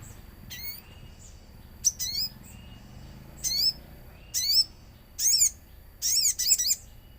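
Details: Common iora song played as a lure with nature sounds: groups of crisp, hooked high chirps coming closer together, ending in rapid clustered bursts.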